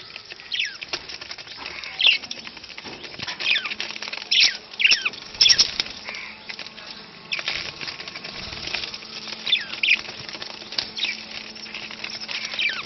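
Budgerigar giving short, bright chirps and warbled notes at irregular intervals over soft rustling.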